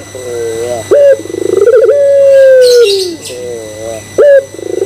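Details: Puter pelung, the Barbary dove, giving a lure coo to provoke other doves: wavering low notes, an abrupt high clipped note, a quickening pulsed stutter that runs into a long sustained coo falling away, then the phrase restarting. Faint high chirping overhead.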